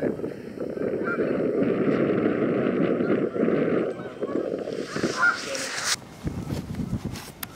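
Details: A huge flock of Canada geese by the Salmon River near Truro in March; massed honking fills the first half, thinning out later as wind buffets and handling noise take over.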